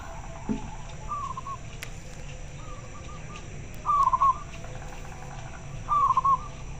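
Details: Local zebra dove answering other birds, giving short warbled cooing phrases near the same pitch, two louder ones about two seconds apart, fainter phrases between, over steady low background hum.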